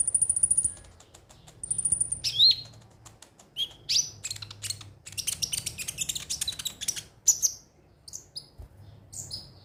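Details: Ruby-cheeked sunbird (konin) song used as a lure to get birds singing daily: long high thin trills, then sharp rising and falling chirps and dense buzzy bursts of twittering notes.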